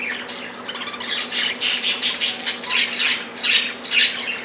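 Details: Budgerigars quarrelling over a millet spray, several pets calling over each other in a steady stream of harsh squawks and grating chirps, barely a break throughout.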